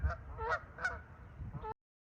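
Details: Canada geese at a marsh on the Camden East Alvar, a limestone alvar, on a mild, windy, increasingly cloudy spring morning (29 April 2025) give four nasal, two-toned honks in under two seconds, over a low rumble of wind.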